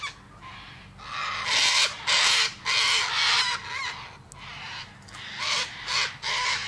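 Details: A cockatoo gives a series of harsh, grating screams, each about half a second long, separated by short pauses.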